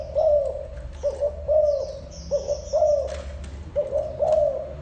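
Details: Cooing spotted dove giving steady low phrases, a brief note followed by a drawn-out, slightly bowed coo, around five phrases in succession over distant thin chirps of other small birds and a short noisy burst.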